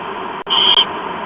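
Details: Begging barn owl chick at morning feeding time in Chula Vista, USA, late October 2015: a single drawn-out rasping hiss after a brief click, against steady background noise.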